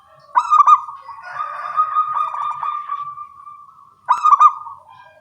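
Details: In the morning, local zebra doves with small voices answer each other in song: a loud stuttered coo opens, a long rolling purr follows, then another sharp stuttered phrase near the end.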